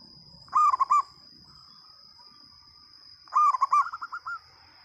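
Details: Loud-voiced local zebra dove: a phrase of round, bubbling coos, a pause, then another phrase that runs into a rapid trailing series of shorter notes, over quiet background and a steady high whine.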